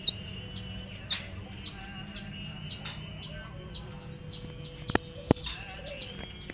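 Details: Chicks with a hen give scattered high, down-slurred peeps, sparser than a full chorus, broken by a few sharp clicks and knocks near the end.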